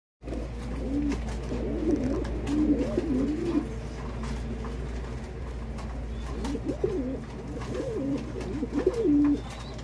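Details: Fancy domestic pigeons on a pigeon farm in Bangladesh giving low, throaty rolling coos in repeated phrases, several birds overlapping, with steady low hum and occasional clicks behind.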